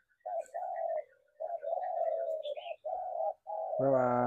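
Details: Spotted dove cooing: a run of low, hoarse, slightly rising coo notes, each under half a second, separated by short pauses, then a sudden low harmonic drone at the end.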